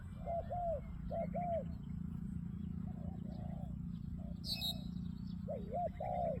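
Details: Spotted dove cooing in paired, rounded, arched notes, a couple of phrases then softer coos and a final double note, over a low rumbling background with a brief high chirp from another bird.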